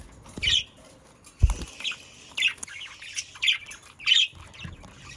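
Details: Budgerigars kept as pets give a series of short, raspy chirps roughly every half second to second, with occasional soft thuds and rustles between calls.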